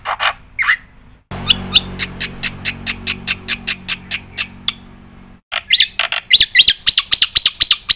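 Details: Black-winged myna singing a full, varied song for prompting and tutoring other birds: a long series of rapid, evenly repeated chirps, a short break, then louder harsh squawks mixed with rising whistles.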